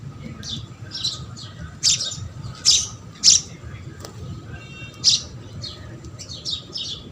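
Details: House sparrows at a feeding spot, scattered chirps broken by several loud, harsh squawks at uneven intervals, low hum in the background.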